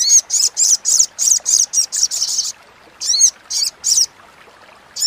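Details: Little spiderhunter chattering, used as master recording for competition songbirds and to provoke silent birds: rapid high buzzy bursts, about ten in two and a half seconds, then a pause and four more spaced notes, clean background.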